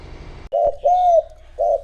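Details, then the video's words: Spotted dove kept as a decoy to lure rivals, giving three loud coos: a short note, a longer steady arched one, then another short note, with a faint hum underneath. "Cu gáy mồi thúc gù gọi bổi , kích cu gáy gù gáy"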